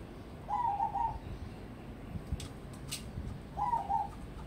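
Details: Crossbred zebra dove, a contest prospect, sings two bubbling coo phrases three seconds apart, each a quick stuttering roll, with brief knocks audible between them.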